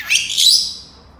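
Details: Senegal parrot making a short, harsh, buzzy screech that starts abruptly, swells twice and trails away within a second.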